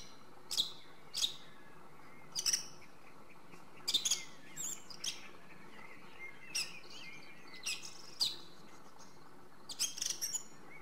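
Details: Song thrush song heard at a distance: scattered sharp, high chirps and short whistled phrases separated by pauses, over a constant background hiss.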